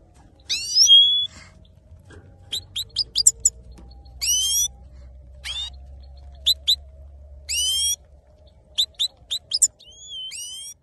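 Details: Male goldfinch, called saira locally, sings a varied phrase: upslurred nasal notes and short clipped chips repeated at irregular intervals over about ten seconds, with a soft low hum behind.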